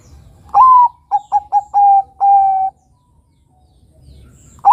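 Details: Lure song of a Bangkok-type perkutut, the zebra dove, meant to prompt young birds to sing: a rising opening coo, three short quick notes, then two longer even coos, with another phrase starting at the end.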